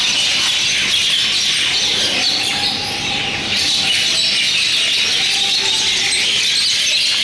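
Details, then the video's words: A myna singing in Fiji, April 2016: dense, harsh chatter broken by a few drawn-out mid-pitched whistles, over a steady hissy background of other high calls. "Myna Bird singing"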